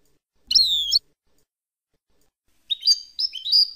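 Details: Goldfinch song of the Palestinian style, the European goldfinch heard as a tutoring model for chicks: a sweet falling whistle, a short gap, then rising liquid twitters run together.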